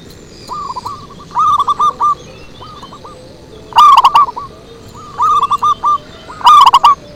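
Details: Zebra dove song recorded as a lure for wild doves: softer cooing runs alternating with two loud, tumbling phrases of rapid short notes, the birds answering one another every second or so.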